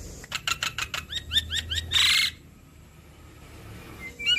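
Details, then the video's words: Adult Javan myna in vigorous voice, used as a lure to get other Javan mynas to answer. Rapid clicking notes, then a run of short arched whistles, ending in a loud harsh rasping burst, then quiet with a faint note at the end. "Pancingan Jalak Kebo Dewasa Gacor Bikin Jalak Kebo Apapun Cepat Nyaut"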